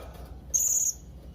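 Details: One thin, drawn-out, very high squeak, slightly buzzy, from a young blue-crowned hanging parrot calling to rivals.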